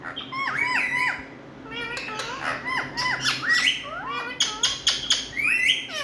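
Rose-ringed parakeets give loud, harsh squawks and sharp rising-falling screeches in quick bursts, several birds overlapping, with a faint room hum underneath.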